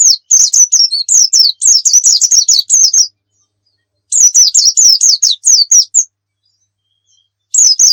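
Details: Energetic oriental white-eye song meant as a tutor for other songbirds: long runs of high, rapid, zigzagging tweets, about three seconds each, separated by silent pauses of one to two seconds; nothing else audible.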